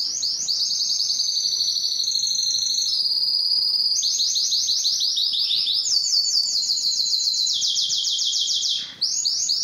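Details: Belgian canary song meant to excite females for mating: continuous rapid rolls stepping between pitch levels, a rising sweep near the middle, and a short break near the end before the trill resumes.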